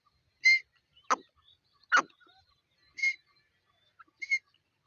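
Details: A grey francolin with chicks calls in short, harsh, ringing notes mixed with sharp downward-swept cries, about six notes in five seconds; otherwise quiet.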